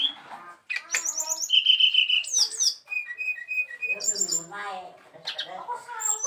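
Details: Song of a brown-chested jungle flycatcher: a rapid series of bright repeated whistled notes, then buzzy chatter and high sharp chips, mixed with faint talking.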